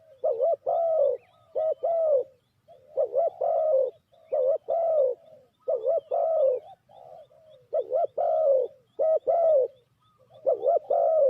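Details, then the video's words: Spotted dove's calls, used to lure birds into traps: steady runs of deep, rolling double coos, phrase after phrase with brief gaps over eleven seconds. "Sound Of Spotted Dove is so good"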